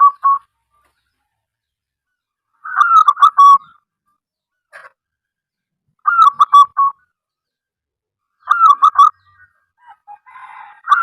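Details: Local wild zebra dove, kept as a singing bird and used to lure and prompt other zebra doves to call, giving four bursts of rapid bubbling coos around a steady pitch, each about a second long, spaced two to three seconds apart in a quiet setting.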